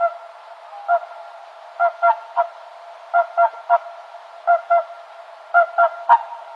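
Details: Swan giving short, nasal honks in clusters of two or three, each burst about a second apart, over a quiet, clean background with one sharp click near the end.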